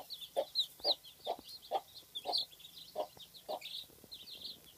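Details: A broody domestic hen among many chicks gives a run of low, evenly spaced clucks that stop after about three seconds, leaving high, rising chick cheeps scattered throughout.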